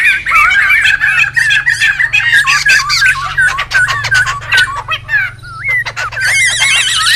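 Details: A noisy wild laughingthrush flock, recorded for luring and tutoring, gives wavering whistled phrases mixed with sharp clicking and squawky bursts, ending in a run of rapid trilled notes.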